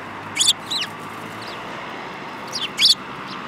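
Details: Sparrows on 5 February 2018, among them one with a yellowish bill; bright descending chirps in two clusters, a pair early and another pair near the end, with a quiet low hum between.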